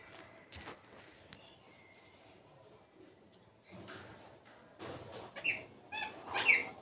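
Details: Pet Indian ringneck parrot (rose-ringed parakeet) out of its cage gives a few short, harsh, high squawks after a quiet start, with faint clicks and soft room noise between them.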